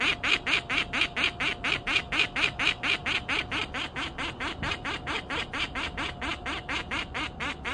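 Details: Bird alarm calling: a steady, rapid series of harsh, quacking notes, about two each second, held evenly throughout.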